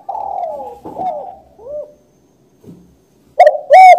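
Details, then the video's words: Spotted dove cooing. Soft, hollow coos fall in pitch, spaced about half a second apart. A short gap follows, then the loud, rasping coos of a new song phrase start at the end. "suara burung tekukur // suara burung balam"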